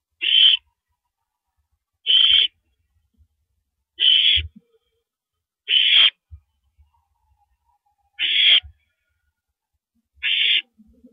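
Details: On April 9, 2012 at 1:27 AM, a female owl swallows a rabbit before a live camera; six short, hissing screeches repeat about every two seconds over near silence, with an occasional low thud.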